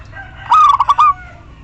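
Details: Local female zebra dove calling the male, used as a lure to prompt silent males to sing: one short phrase of about five quick, stuttering cooing notes, mellow and evenly spaced, over quiet low background hum.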